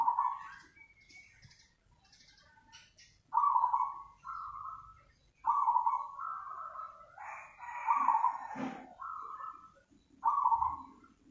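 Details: Zebra dove singing vigorously, nganyer style, a sequence of short trilled coos and flatter notes with pauses, some clicking and a brief knock in the background.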